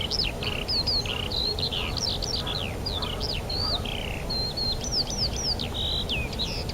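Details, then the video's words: Spring chorus of birds at Rogozyanske reservoir, Kharkiv region, 4 April 2010: bright high whistles, swooping notes and rapid twitters overlapping throughout, with soft steady background noise below. "Пение птиц"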